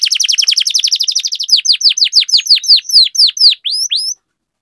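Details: Canary in rolling song, meant to set other canaries singing: a loud, very fast string of descending notes that gradually slows into spaced sweeping notes and stops.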